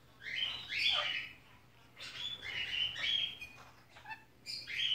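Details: A six-month-old female pet sun conure, indoors at Christmas while watching a film, gives harsh, grating squawks in short bursts, about one every second or two.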